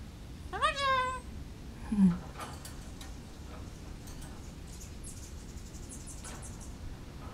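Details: A female pet Goffin's cockatoo in a backyard, vocalising toward wild birds in the trees, gives one nasal, meow-like call that rises then falls, followed by a brief low murmur and faint background noise.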